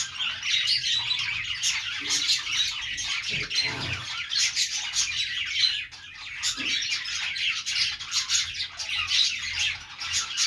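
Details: Budgerigars chirping: a dense, continuous chatter of overlapping high, scratchy tweets and squawks, with brief rapid bursts throughout and no clear pauses.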